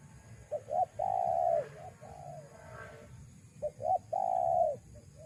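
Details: Spotted dove call used as a lure for wild doves: short double hoot, long level coo, then softer follow-on coos before the pattern repeats; low hum throughout.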